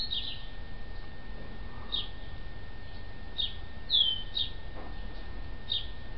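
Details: Yellow-legged gull chicks kept indoors a few days after being taken in, now fully recovered, giving thin high peeps about once a second, one longer downslurred whistle near the middle, over a low steady hum.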